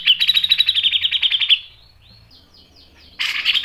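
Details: Grey-cheeked bulbul in active song, rasping and sharp, used as a training lure: a fast, high, rattling run of notes lasting about one and a half seconds, faint thin whistles, then a new burst beginning.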